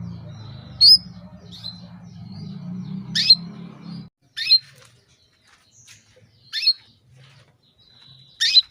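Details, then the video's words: Female canary calling to a male to bring him into breeding condition; sharp descending chirps recur every one to two seconds, six in all, over a low rumbling background noise during the first four seconds. "PANCINGAN KENARI BETINA MEMANGGIL JANTAN"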